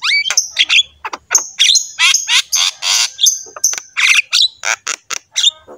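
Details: Loud, dense Javan myna song used to train pet mynas, with grating squawks, rattles and piercing high whistles run together in quick succession.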